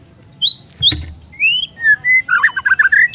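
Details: Young untrained oriental magpie-robin at a bird stall sings a mix of high thin whistles, a clear rising slur, then busy rapid chirping notes, over faint low room noise.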